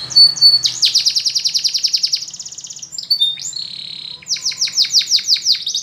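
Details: Spanish Timbrado canary training song: a long fast trill of buzzy repeated notes, a brief pause with clear whistles, then a slower series of sharp descending chips.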